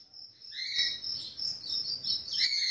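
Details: A five-month-old Ultramarine grosbeak youngster, just put out for a sunbath, gives a soft, low subsong of high twittering chirps and short warbled notes over faint room noise; the owner says it already sings well.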